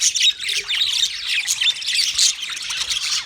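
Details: Budgerigar colony of some thirty pairs in full voice, a thick wall of high chirps, squeaky warbles and rasping notes from many birds overlapping without a break.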